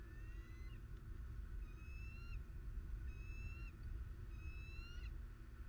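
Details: Bald eagles in Southwest Florida on 21 December 2019 give repeated series of sharp, high, slightly rising whistled notes with bright overtones, roughly every 1.3 seconds, above a constant deep droning rumble.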